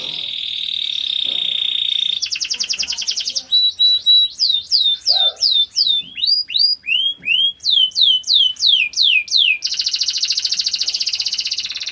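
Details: Canary song for training fighting birds: a buzzy steady trill, a faster rattle, then evenly spaced loud downward-sweeping whistles about three per second, closing with a long dense high trill.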